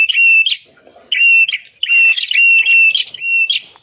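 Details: Red-headed prinia song used as a master recording to train other birds that have stopped singing: loud, strident notes near one steady high pitch, each ending in a buzzy flourish, in bursts about every half second to second.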